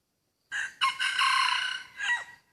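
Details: Rooster crowing in a rubber plantation during decoy hunting of a hybrid wild junglefowl: a brief first syllable, a sharp jump into a sustained bright, buzzy stretch of about a second, then a short, downward-bending closing note; otherwise quiet.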